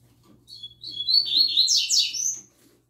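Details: Double-collared seedeater youngster, a newcomer singing the "tui tui zel zel" song: a two-second phrase opening with clear whistles that rise into dense, buzzy, repeated notes, loudest near the end, over a faint room hum.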